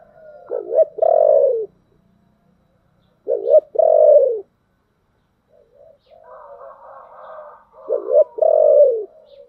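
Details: Spotted dove used as a lure for wild doves, thick 'thổ' voice: three loud phrases of low, throaty double coos spaced about three seconds apart, each ending in a falling hum; softer cooing from another bird between.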